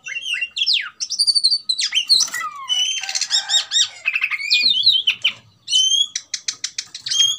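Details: Oriental magpie-robin provoked into fighting mood, pouring out a rapid mix of slurred whistles, buzzy rasps and fast repeated chips, closing with a series of evenly spaced sharp high notes.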